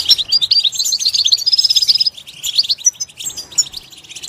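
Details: Goldfinch in its natural environment delivering a busy, tinkling twitter with a short clear whistle, then a brief pause before scattered chirps resume more softly.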